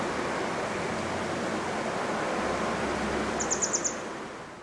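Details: Grey wagtail perched on a power line on a bridge over the Koma River, Agano, Japan, on 1 June 2022, giving a quick burst of five sharp, very high 'tzit' notes over the steady river rush.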